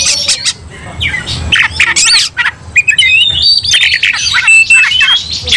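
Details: Aggressive Oriental magpie-robin song with another magpie-robin roused to anger: harsh rasping squawks and clicks at first, then rising whistled notes and a sustained warbling run near the end.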